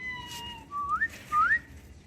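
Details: A pet cockatiel on a rooftop in the afternoon whistles a "cookie song" of clear, pure notes, with two smooth upward-sliding phrases in a tune-like pattern, amid the owner's talk.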